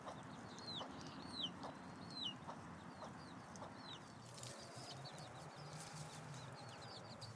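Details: Chicks foraging with their mother hen in late July give scattered high down-slurred peeps with a few soft low clucks, and a rising hiss of rustling noise takes over in the second half.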